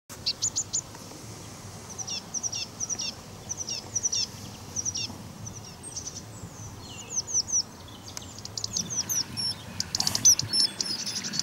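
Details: A Common kingfisher on the Donge gives shrill, thin, high whistled notes in short bursts of two or three, then a denser flurry of high calls near the end over faint background hiss.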